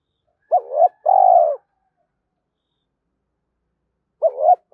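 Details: Spotted dove cooing, played to attract and excite other doves. A wavering hoot and a long burry coo, then a long pause before the same pattern starts again. Background is silent.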